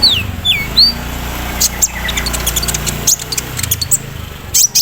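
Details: Morning-misted caged sunbird giving looping downslurred whistles, then a scatter of tiny high ticks against a steady low hum. The song carries embroidery-machine style mimicry.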